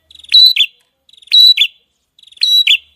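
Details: Songbird from a masteran gacor recording: three identical phrases roughly a second apart, each a faint stuttering lead-in, a loud high note and a lower downslurred whistle, with silence between.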